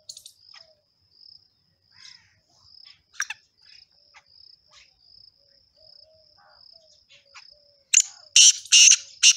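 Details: Male black partridge singing: a burst of four loud, harsh, rasping notes near the end, after quieter chirps from smaller birds, over a steady high insect trill.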